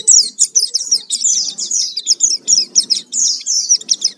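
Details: Lure recording of an Oriental white-eye in full song: continuous, very high, rapid twittering chatter of short slurred notes, lively and unbroken.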